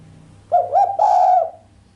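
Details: Sharp cooing by a female island collared dove, missing the usual 'kuk' and said to excite the male: a brief note, a rising second note, then a drawn-out level coo, over a soft low hum.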